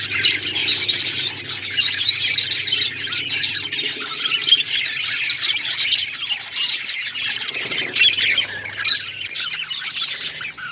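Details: Budgies chattering nonstop: many overlapping high chirps, warbled trills and brief squawks form an unbroken bright babble, with a quiet low droning hum beneath.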